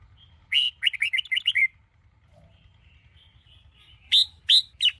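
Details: Red-whiskered bulbul of the Sông Kôn type, a caged bird in morning song training: a quick run of bright, warbled chirping notes, a pause, then three loud rising whistled notes, with faint softer bird notes between.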